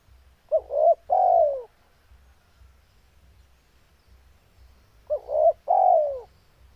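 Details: Two cooing phrases from a spotted dove in breeding condition, about four and a half seconds apart; quick doubled hoots lead into a sustained, downward-sliding coo. Faint low rumble throughout.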